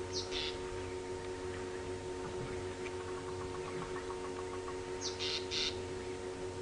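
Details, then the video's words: Southern black tit at Djuma Game Reserve at sunrise on a morning safari drive, 3 August 2015, calling alongside drongos: two harsh, buzzy, high chattering bursts with softer ticking notes between, over a steady engine hum. "You can hear the southern black tits"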